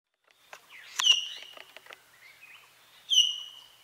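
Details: A common hill myna sings in Buxa Tiger Reserve, Alipurduar, West Bengal, India: loud, clear whistles, one at the start and one near the end, with clicks and chattering notes between them.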